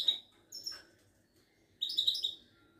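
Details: Moroccan Widani goldfinch, a kept songbird, starting with a clear high note and a sliding call, then pausing before a rapid bright twittering trill.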